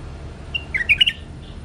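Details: Short bulbul phrase: a soft opening whistle, then a rapid string of four or five liquid, warbling notes rising and falling, with a faint trailing note and low steady hum behind.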